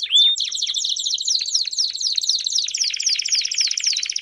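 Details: A chorus of Belgian canaries, played to get a canary singing. The song is a bright, continuous, high warbling trill of quick descending notes, with one sharp whistle near the start.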